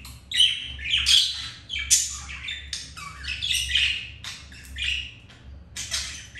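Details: Captive budgies mating after the male was rejected by another hen; grating chatter of squawks and short whistles in uneven bursts, low constant hum beneath.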